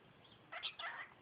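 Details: Pet cockatiel, a five-month-old female, imitating speech indoors; a short high, scratchy two-part phrase with a bright first syllable and a drawn-out raspy second.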